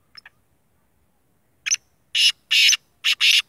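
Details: Full black 'sheedi' Black francolin giving its call: a faint short double note, a pause, then a rapid string of loud, rasping, broadband notes, the longer ones paired, all in about two seconds against a quiet background.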